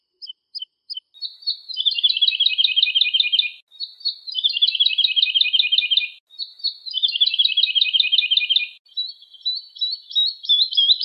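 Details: Woodlark song of three faint notes, then long, buzzy, quavering trills that dip in pitch, each lasting two seconds, separated by short gaps, ending in a higher rising trill. No background noise.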